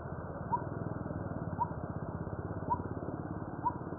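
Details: Coppersmith barbet striking its steady, metal-tapping 'tuk' note four times at about one-second intervals, over a low, throbbing engine-like rumble.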